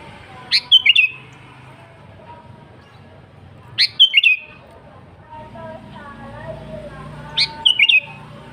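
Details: Sooty-headed bulbul delivering its gacor song, used to call rival kutilang: three short liquid phrases spaced roughly three seconds apart, each a rising note then quick descending whistles, with faint murmuring voices and hum in the background.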